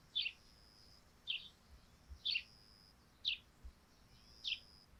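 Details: At morning on a dew-laden thatched roof, sparrows chirp about once a second: five short bright notes with a softer one between, over near silence.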